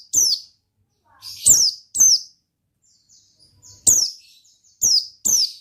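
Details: Oriental white-eye in gacor ngalas singing style: six sharp, high notes, each sliding steeply downward, in irregular pairs and singles with short silent gaps between them.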